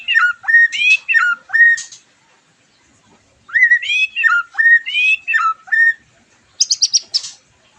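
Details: White-rumped shama song serving as a post-moult lure: a repeated bouncy whistled phrase, sung in two runs of several notes each, followed by a quick buzzy burst.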